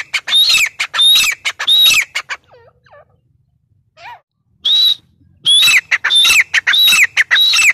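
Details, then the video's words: Teetar, the grey francolin, repeating loud high whistles joined to harsh chattering notes in rhythmic bursts, pausing around the middle with faint soft calls, then resuming the fast ringing series. "Teetar awaz | teetar sound | gray francolin tetar sound | titar voice"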